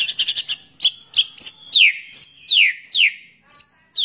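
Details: Song of a white-rumped shama, a recording used to train other birds; rapid chirps open into a string of clear, loud, downslurred whistles repeated about twice a second.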